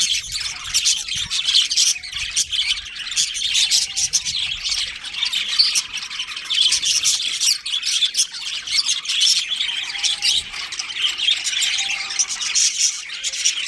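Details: Budgerigar colony including a breeding pair, steady, crowded chatter of thin chirps, trills and scratchy warbles that carries on unbroken, with faint short whistled notes now and then beneath it.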